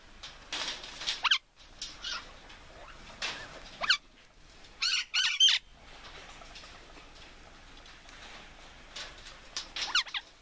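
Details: Red-fan parrots (Deroptyus accipitrinus), a pair of kept birds, giving harsh, raspy squawks in short bursts, spaced a second or few apart, with quiet pauses between.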